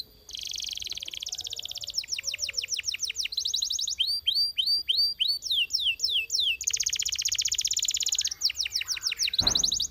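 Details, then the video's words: Belgian canary song alternating dense buzzy trills with bursts of fast falling whistles and a run of clear arched notes, ending in a brief noisy click. "The Sound Of The Belgian Canary Tempts Your Canary To Sing"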